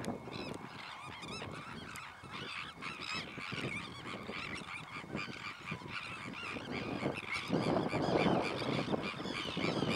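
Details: Sandwich terns keep up rapid, overlapping harsh calls with curved, scratchy notes, while a steady faint tone and growing low rumble fill the background toward the end.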